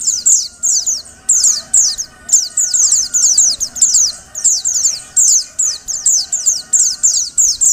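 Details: Calls of a female pleci, the Oriental white-eye, meant to get males singing: continuous runs of very high, sharply falling chirps grouped in twos and threes, without pause.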